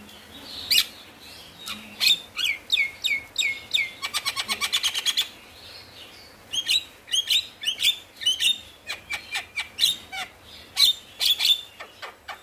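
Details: Constantly singing male Javan myna, recorded to coax reluctant mynas into song: rapid trains of sharp ticking notes, a fast even rattle of clicks near the middle, and bright short whistles between phrases.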